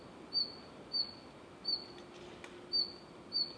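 A Red-flanked bluetail gives short, thin, high whistled notes, five in a few seconds at an uneven pace, over a faint steady background hiss.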